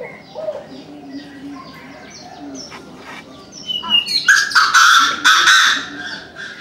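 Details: Chinese francolin calling in the morning: after four seconds of soft background chirping, loud harsh grating bursts in a quick broken series, with other small birds twittering faintly behind.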